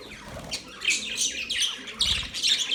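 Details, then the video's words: Budgerigar chirps in quick, high, squeaky notes, several short rising and falling chirrups packed closely together. "Sound of Budgies parrot Budgies chirping sound"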